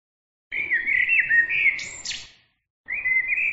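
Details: Songbird delivering a whistled, wavering phrase ending in a sharp high buzzy sweep, then after a pause starting another whistled phrase.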